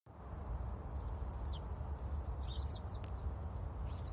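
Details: Sparrow sitting on a branch, giving a few short high chirps in small clusters, spaced about a second apart, over a constant deep rumbling background noise.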